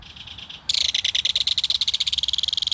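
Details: Adult belted kingfisher calling to its baby at a mud-bank nest while feeding it fish, the young answering: a faint rattle, then an abrupt, loud, fast run of dry, clicking rattle notes.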